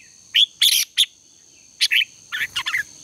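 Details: Morning song of a red-whiskered bulbul for contest training: short loud whistled phrases, a quick trio of notes, a pause, then a rapid cluster of chirps, with a constant high tonal hum behind.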